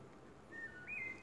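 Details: A wood thrush close by on 16 April 2019, heard near the Whetstone Branch, gives a brief song fragment: a few clear, flute-like whistled notes rising slightly at the end, over a soft background hiss.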